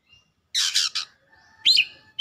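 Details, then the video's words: Oriental magpie-robin singing vigorously and worked up: a burst of harsh, scratchy notes, then a thin upward-sliding whistle and a sharp high note at the end. "KACER GACOR LANGSUNG MEMANAS NAIK EMOSI BONGKAR ISIAN"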